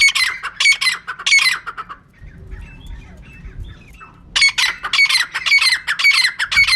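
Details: Female francolin calling: harsh, squawky repeated notes at about two per second for two seconds, a quiet pause with low rumbling, then the grating series resumes strongly.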